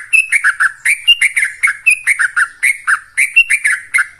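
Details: Kept yellow-vented bulbul, 'ropel' rapid song played to excite other caged birds: dense run of liquid, bubbling notes with bright upper edges, quick clusters of two to four notes separated by tiny gaps.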